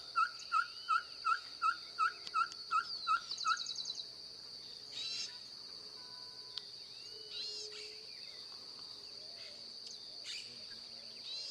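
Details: Ferruginous pygmy owl gives about eight quick, level whistled notes in a regular row, then stops. Steady insect drone and scattered faint chirps of other birds continue afterward.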